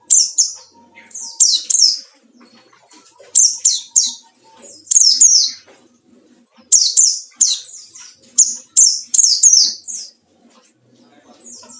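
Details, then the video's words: Lure song of a white-eye meant to provoke rivals: repeated phrases of two or three high, sharp, descending chirps, loud and bright, recurring every second or two across the recording. "burung pleci ngalas cari lawan//ampuh buat pancingan"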